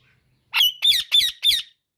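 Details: Four rapid, harsh screeches from an Indian ringneck parakeet, each grating note evenly spaced about a third of a second apart, loud and clear against silence.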